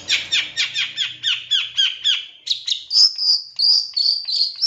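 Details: Long-tailed shrike singing as a lure to make other shrikes sing quickly and get excited. It gives a fast series of harsh, descending chattering notes, then switches to higher, scratchy, strident phrases repeated several times a second.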